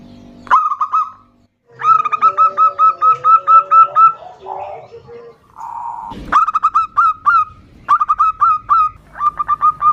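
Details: Female zebra dove calls a male, with a loud local male answering: repeated bursts of bright, hooked cooing notes, a lower hum under one series, and short gaps of rustling noise between the runs.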